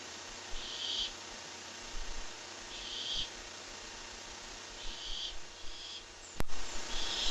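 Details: Barn owl heard via webcam on 23 July 2015: four raspy, noisy screeches spaced about two seconds apart, ending with a sharp click and louder shuffling thumps.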